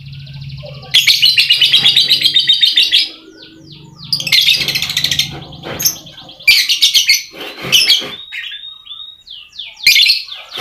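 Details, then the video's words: Lovebird song used to stimulate lazy lovebirds to sing: long harsh, buzzing, rapidly pulsed bursts broken by short downward chirps, repeated in several bouts with brief quiet gaps and a low hum. "Pancingan Lovebird Malas Bunyi, suara burung lovebird bikin emosi lakbet lain"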